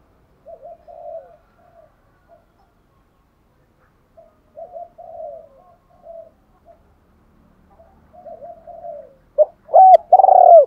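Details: Spotted dove urging coos used as a decoy to call wild doves in quickly: soft, low, hollow coo phrases repeated in short groups with pauses, ending with louder abrupt noises.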